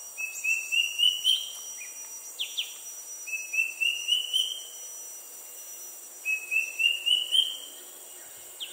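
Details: An uncommon resident Square-tailed drongo-cuckoo in Singapore gives three runs of about six clear whistled notes, each run climbing steadily in pitch, over a steady high insect hiss.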